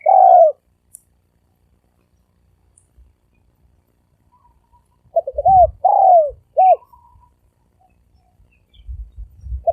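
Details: Spotted dove cooing in the thổ sấm đồng manner as a lure for males, females and wild birds: a long croo, silence, then short notes and a falling croo, with faint low thumps around.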